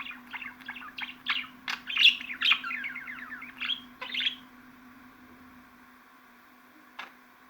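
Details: Budgerigar chattering in rapid repeated chirps for about four seconds, then falling silent apart from one lone click; a constant low hum continues.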